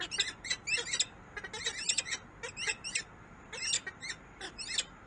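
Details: Peregrine falcon recorded in Harrisburg, USA: rapid rasping, chattering calls in dense clusters, repeated with short gaps, harsh and high-pitched throughout, no other clear sounds.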